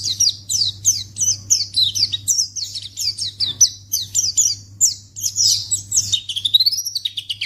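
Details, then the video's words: White-eye lure sound meant to trigger a reply from other white-eyes: steady series of high, sharply downslurred chirps, roughly three per second, turning into a rapid stuttering trill and lower sweeping notes at the close; low hum behind. "Pleci Akan Langsung Merespon Memancing Bunyi Burung Pleci"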